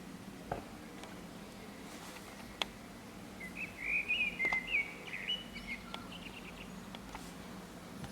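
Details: A common blackbird singing on an antenna in urban San Martín, Zamudio, Bizkaia, on 23 April 2019 gives one warbled, fluting two-second phrase with a twittery end, over a low hum and sharp clicks.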